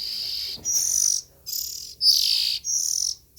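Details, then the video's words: Oriental magpie-robin nestling making four loud, breathy, high rasping calls in quick succession, each a noisy hiss-like burst separated by brief pauses. "Tiếng Chim Chích Chòe Than Non Kêu Hay Nhất"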